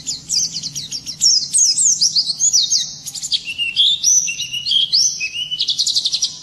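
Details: White-eye singing in the morning, a fast, high, twittering song of thin slurred whistles and rapid trills, running almost without a break.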